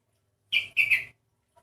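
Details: Sooty-headed bulbul with an odd-sounding voice that differs from the usual: one brief, rasping, squawky phrase of two linked notes, strong and buzzy, followed by a faint click in a quiet setting.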